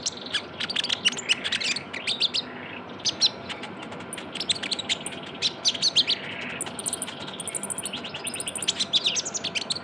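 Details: Young Javan white-eye as a lure sound, calling constantly with rapid high chirps and twittering clusters, interspersed with thin, very high whistled notes, all against low background hiss.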